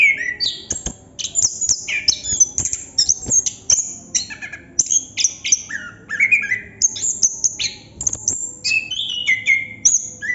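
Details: Extended ngerol singing by a Chestnut-capped thrush, bright high whistles and twittering chatter pouring out in a steady, nearly continuous flow with varied sliding phrases.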